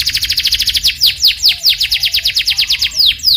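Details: Energetic canary song used as a lure to set other canaries singing: a continuous stream of rapid downward-sweeping chirps, with occasional longer slurred notes standing out every half second or so.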